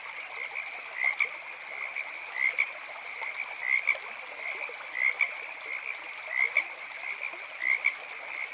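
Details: At night by a campsite with a fire and running creek, an Eastern Whip-poor-will repeats a short whistled phrase about every second and a half over a steady, ringing chorus of frogs.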